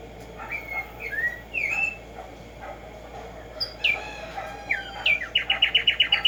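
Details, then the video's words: Separate rising and falling whistles from a Black-striped sparrow lead into a closing trill of evenly spaced, high chipping notes, roughly four per second or faster, with a steady hiss underneath. "HACER TRINAR a Tumba Yegua Audio para estimular el CANTO a estas bellas aves en la NATURALEZA"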